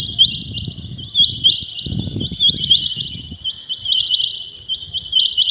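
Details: A rain quail calls in the early morning, giving rapid, bright, high-pitched doubled notes repeated steadily over faint low background rumbling.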